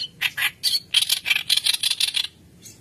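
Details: White-browed kerak basi in full song, played as a training lure for young birds: rapid, dense harsh chatter of grating, buzzy notes repeated quickly, then a brief lull with one final note.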